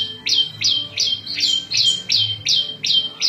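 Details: Prenjak lumut, a small prinia, singing a varied song used for training cage birds and luring wild birds: sharp high chirps sliding down, about nine in three seconds, each ending on a steady thin tone.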